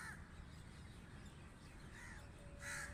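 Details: Crow giving short, harsh caws: one at the very start, a fainter one near two seconds and a louder, ringing caw near the end, over a steady low background rumble.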